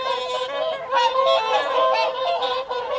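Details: Whooper swans at the evening feed on the Folly Pond, WWT Caerlaverock, January; a dense chorus of overlapping bugling, honking calls with rich harmonics, continuous and layered from many birds.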